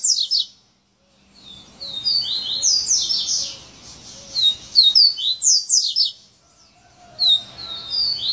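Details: Coleiro delivering "serra elétrica" song: a brief burst, a pause, then a long torrent of piercing, fast-slurred high notes, with a couple of restarts.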